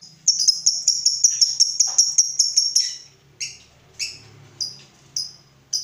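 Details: Lovebird used as a lure for other lovebirds: a bright, rapid string of high pulses for about two and a half seconds, then a pause followed by separate sharp chirps roughly every half second, over a faint low hum.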